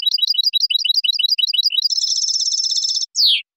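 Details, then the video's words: Spanish European goldfinch in clean song for training juveniles: quick repeated twittering phrases become a sustained buzzy trill, closed by a loud downward-sliding note. "شريط لغة حسون إسباني"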